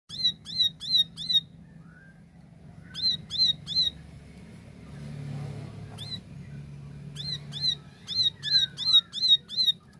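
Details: Plain prinia singing a clear, lively 'tembakan' style song: bursts of four or five sharp, high chipping notes at about three per second, separated by pauses, over a steady low hum.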